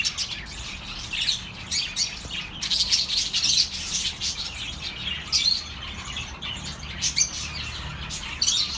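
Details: Pet birds chirping, offered as relaxing sound for lonely birds: a steady chorus of high, quick twittering chirps and short warbles that overlap continuously.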